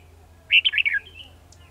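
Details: Red-whiskered bulbul at a trap, recorded 18 December 2020: one bright, rapid warbled phrase of four or five slurred notes sliding downward, ending in a thin, fading whistle.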